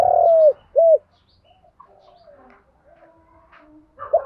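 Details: Spotted dove coo in the 'giọng đồng' style, used as a lure for training newly caught and decoy birds: a loud drawn-out hooting coo, then a short rounded one, a quiet stretch and a final coo.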